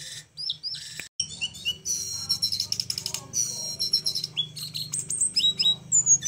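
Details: Little flowerpecker with an unusual singing style, suited as a training recording for other birds: high chips, long harsh buzzy trills, and bright downslurred whistles near the end, over a low hum.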